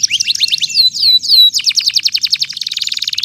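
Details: Canary in full vigorous song, used as a lure to get silent or lazy canaries singing again and to tutor young birds aged two to four months; sweeping whistled notes give way to fast rhythmic trills, ending in a dense buzzy rattle.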